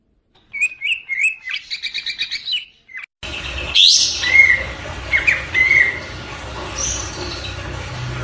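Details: Oriental white-eye song, recorded as a training track for other cage birds: a quick run of clipped chirps, then a break and a noisier passage with sharp high notes and short whistled phrases.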